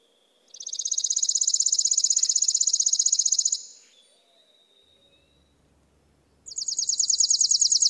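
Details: A chipping sparrow (Spizella passerina) delivers a sustained high, dry trill of fast repeated chips for about three seconds, goes quiet, then begins another trill of the same kind.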